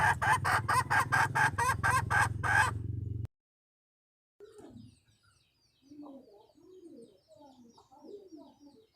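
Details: Junglefowl hen used to lure the wild cock, March 2020: three seconds of fast, loud, repeated notes over a low hum, then a pause and quieter scattered clucking notes.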